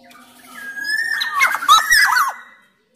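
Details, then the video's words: Black-naped oriole of the Sumbawa type, sung to coax other orioles into singing: a long, level whistle that swells into a jumble of fluty, twisting, slightly harsh notes, then stops abruptly. "KICAUAN KEPODANG EMAS GACOR SUARA KERAS"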